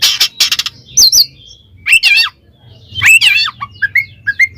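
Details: Oriental magpie-robin singing in the ngeplong style, calling a rival to provoke other magpie-robins: harsh buzzy bursts, then bright slurred whistles and quick twisting phrases with short gaps, ending in clipped rising notes.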